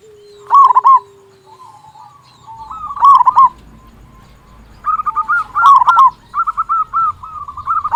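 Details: Loud local zebra dove singing to prompt other doves to call. A few bursts of quick staccato cooing, then long runs of repeated rolling coo notes, with a low steady tone at the start.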